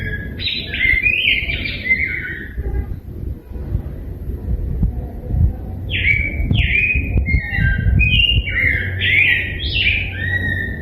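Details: Rose-breasted grosbeak, known locally as degollado, singing: two bursts of rich warbled phrases, short notes sliding between high and mid pitch, one bout early then a longer run after a pause, over steady low rumbling background noise.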